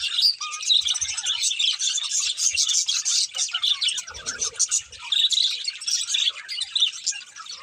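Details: Budgerigar pair chirping in bursts, quick squeaky twitters and whistled notes with short dips between phrases and a low thump midway.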